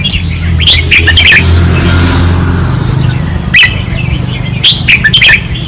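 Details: Red-whiskered bulbuls singing fiercely on a training perch in Pattani; short bursts of sharp whistled, chirpy phrases separated by pauses, with a loud low rumbling hum like a passing vehicle underneath.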